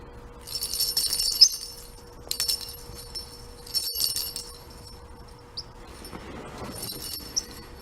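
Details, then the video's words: A parrotlet mimics the rattling of his toy ball: four dry, high, jingling bursts about a second each, spaced roughly every one to three seconds, with a faint steady hum underneath. "Parrotlet Crackers mimicking rattling sound of toy ball"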